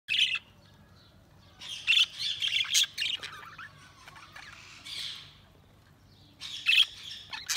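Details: Budgies chirping in scattered bursts: harsh squawky chatter and short high chirps, separated by quiet gaps.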